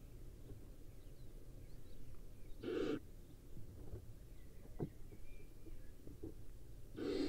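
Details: Barn owl in the wild, practising hunting: two short harsh hissing screeches several seconds apart, with faint distant bird calls and low background hum.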